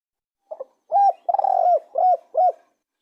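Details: Spotted dove cooing: a faint double note, then four or five rounded, hooting coos about half a second apart, with one longer drawn-out note in the middle.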